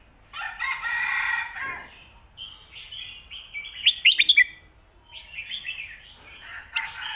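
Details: Song of a red-whiskered bulbul, 'fried noodles' and 'shaking bottle' styles, meant for training home birds: a harsh, broad phrase opening, then bright warbled notes with a quick rattling burst near four seconds and more chattering phrases.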